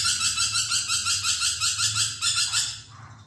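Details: Budgerigar singing actively, heard indoors, as a rapid run of bright, scratchy chirps repeated about six times a second with steady rhythm, a faint low hum beneath, the chattering breaking off and fading near the end.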